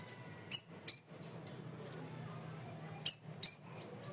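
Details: Cream-vented bulbul, a loud and clear masteran training recording, full of vigorous song: two pairs of sharp, high, downslurred whistled notes, the pairs about two and a half seconds apart, over a quiet background.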